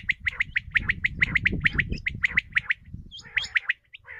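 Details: Common quail calls used as a lure for hunting: a fast string of short, sharp chipped notes repeated about six times a second, then a few sparser, higher chirps near the end, over a low rumbling background.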